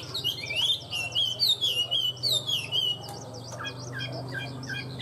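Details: Tame Chinese hwamei in a cage, singing well: a long, loud, wavering whistled phrase breaking into quicker chirps and short notes, with a steady low hum in the background.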